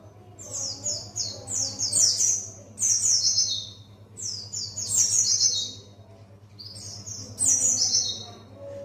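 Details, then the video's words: Buxtoni white-eye learning 'ngalas' wild-style song: bright, high chirping phrases that slide downward, each about a second long, repeated in bursts with short pauses, over a steady low electrical hum. "Pleci Buxtoni belajar ngalas"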